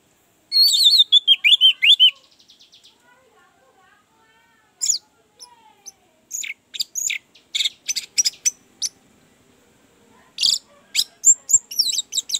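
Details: Orange-headed thrush song as a lure for a reluctant singer: an opening run of rich slurred whistles fading into fine ticking, then scattered high sharp notes and short warbled fragments separated by pauses.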